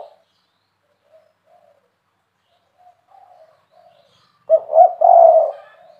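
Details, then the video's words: Spotted dove (tekukur) of the KUK 3 style: several faint, distant soft coos, then a louder close burst of three mellow notes ending in a long drawn coo. "Tekukur Derkuku Deruk Spotted Dove KUK 3 Suara Besar Gacor"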